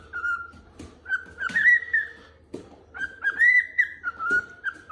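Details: A very contented pet cockatiel whistles a clear, tuneful phrase of gliding, rising sustained notes, repeated with short breaks, while going to wake its owner.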